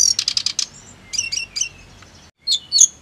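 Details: Brief snowy-browed flycatcher song for singing therapy: a quick burst of five buzzy high notes, a thin whistle, three downslurred chirps, a short silence and two sharp closing notes.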